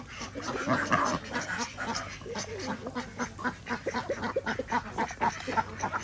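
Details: A flock of farmed ducks quacking at feeding time on an organic village farm in Andhra Pradesh, many harsh nasal quacks overlapping in a fast, busy chorus, about four calls a second, with a low steady hum behind.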